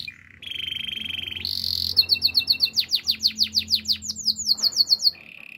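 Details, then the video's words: Canary singing a steady low trill and a brief higher buzz, followed by a fast cascade of sweeping descending whistles accelerating over three seconds, closing with a short rolled trill. "Master canary singing make your canary will sing everytime"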